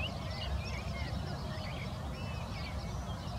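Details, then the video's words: European bee-eaters waking up, stretching and preening give soft, rolling, liquid trills, several overlapping throughout, half-buried under a steady low rumble of wind or distant traffic. "LE RÉVEIL DES GUÊPIERS : ÉTIREMENTS, TOILETTE, CHANT"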